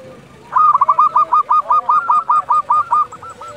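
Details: Local zebra dove calling at dusk, kept as a tutor bird for training quiet doves: a fast run of about a dozen soft, rolling coos pulsing rapidly after a short pause, with a faint low hum underneath.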